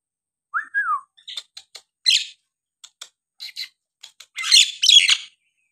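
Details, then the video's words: Captive Nias hill myna used to provoke other birds into song: two falling whistles, a string of ticking clicks and short notes, then loud harsh, rasping bursts. "jalak nias gacor!! buat terapi jalak nias bahan atau yg malas bunyi agar gacor kembali"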